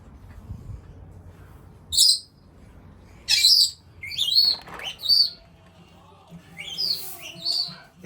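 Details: A pet male Senegal parrot (Poicephalus senegalus) gives shrill, piercing contact screeches in short bursts every second or so, demanding attention whenever a person walks away, with faint household sounds and conversation behind.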